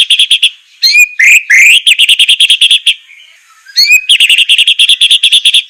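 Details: White-rumped shama song used as a training recording for captive birds, sharp harsh style with rough bursts: rapid buzzy trills repeated about three times a second, broken by rising whistled sweeps and a short pause before the trilling resumes.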